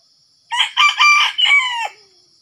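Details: Red junglefowl crowing while wild junglefowl are lured with a decoy in Sumatra: one loud, harsh crow of four bursts over about one and a half seconds, the last part drawn out and falling, with faint insect hiss behind it.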